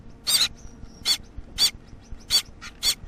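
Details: A Gouldian finch chick about one week old, still fed by its parents, gives short, raspy, hissing calls with a thin high whistle inside, five in about three seconds at uneven intervals.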